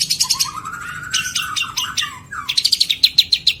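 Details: Long-tailed shrike singing varied fill-in material, 2022: a long low whistle under rapid chips, scratchy bursts and slurs, finishing with a quick series of sharp high clicky notes.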